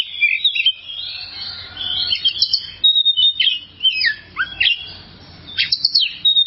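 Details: Oriental magpie-robin song from a long tutor recording for cage birds: varied whistled phrases with fast sweeps, a steady pure whistle near the middle, and several dropping slurs.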